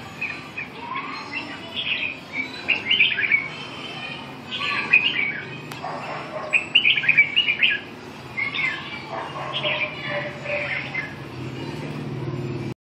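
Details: Red-whiskered bulbul song on the afternoon of 7 June 2012: repeated clusters of bright warbled notes roughly every two seconds, with a single sharp click and a low rumbling hum in the background.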